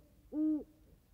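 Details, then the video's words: Great Horned Owl in California grassland and high desert giving one close, deep, steady hoot, smooth and even in pitch, over quiet background. "the close hooting of Great Horned Owl’s"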